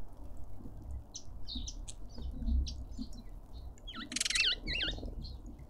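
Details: Cut-throat finches fighting over food in a suburban garden in Pretoria, South Africa: scattered soft tweets, then a flurry of wingbeats with a rapid run of sharp, dipping chirps toward the end over low background hum.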